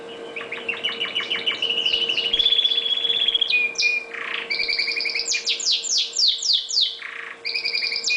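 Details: Pet red factor canary singing under a spotlight: fast chattering trills and rolling tours of repeated notes, then a long bright whistled trill and sweeping buzzy phrases, with a steady low hum in the background.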